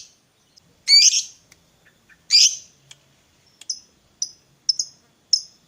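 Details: Gacor fighter lovebird used to prompt a quiet lovebird to sing: two loud, harsh, squawky notes followed by a scatter of short, thin, high chips at irregular intervals.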